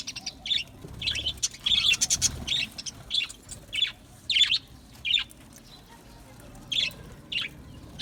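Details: Budgerigars, small Australian parrots, chirping: a series of short, bright, mid-high chirps given in uneven bursts about every half second, with softer twittering and low background rumble between them.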